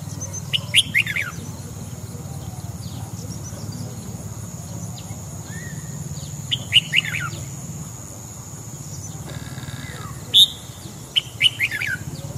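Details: A red-whiskered bulbul sings at dawn, recorded for voice training: scattered short phrases of sharp, bright notes repeated every few seconds, separated by quiet stretches of low hum and faint background noise.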